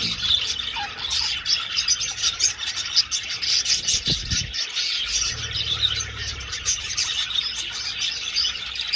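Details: Old aviary full of flying budgerigars: a sustained, dense chorus of high chirps, squeaks and warbling chatter, with a brief low bump halfway and faint low rumble after.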